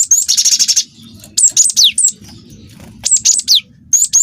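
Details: Young wingko cinereous tit singing nonstop, a lure recording for provoking other birds. Opens with a rapid buzzy trill of pulsed notes, then several groups of high, sharply falling whistles separated by brief pauses; faint low hum beneath.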